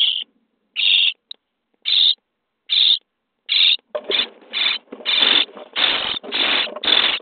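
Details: Common starling chicks being fed in their nest box, day 23: spaced harsh rasps that swell into a loud, continuous, overlapping chorus of grating begging calls.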